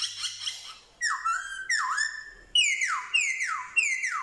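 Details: Vietnamese black-throated laughingthrush, a male, recorded 15 October 2021, singing with imitations of dogs, cats and chickens. A brief rough chatter gives way to loud dipping whistles, then three bright notes that fall away in long slurs.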